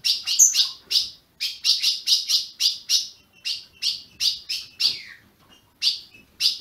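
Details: Captive ultramarine grosbeak in Brazil chirping to stimulate a caged azulão: loud high chips in quick bursts with gaps, one note sliding downward near the end.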